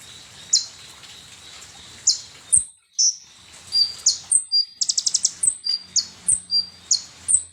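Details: Lure recording of a sunbird, known locally as konin or kolibri ninja, used to make birds agitated: scattered shrill notes give way to a rapid trill of clipped high notes, then a regular run of sharp chips and whistles.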